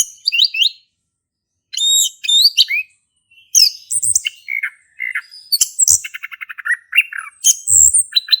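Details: Male orange-headed thrush singing actively in the ngeplong style, used as a lure to get a silent thrush singing: varied high whistled and chattering phrases, rapid sweeping notes, a trilled rattle near the middle, with brief pauses between bursts.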